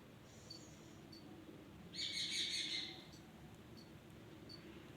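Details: Rose-ringed parakeet (ringneck) giving one loud, harsh, high screeching call lasting about a second, with faint short high chirps repeating in the background.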